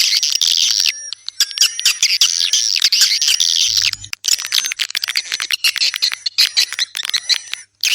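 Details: A flock of swiftlets chirping in bursts, a dense twitter in the first half, then choppier rapid chirps separated by brief gaps, over steady high whistled tones.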